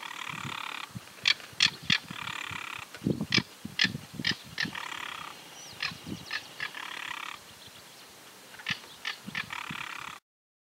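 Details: Southern crested caracara, the carancho, recorded in Santa Fe, Argentina, in 2019: harsh, grating rasps in bunched bursts with sharp clicking notes, pausing briefly between series, over low thumping sounds.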